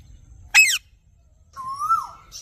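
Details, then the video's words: Parrot calling: a short harsh squawk sweeping downward, then after a pause a longer, smoother whistled note that rises slightly and falls, in otherwise quiet surroundings. "raw parrot"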